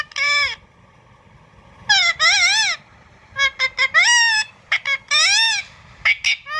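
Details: Indian ringneck parakeet delivers loud, nasal, harsh screeches in separate bursts, some rising then falling, with short clicky notes between.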